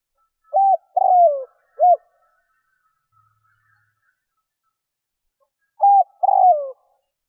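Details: Spotted dove decoy call to attract wild doves. One full phrase of a short hooked note, a long sliding coo and a brief end note, then a quiet pause and another short note and coo.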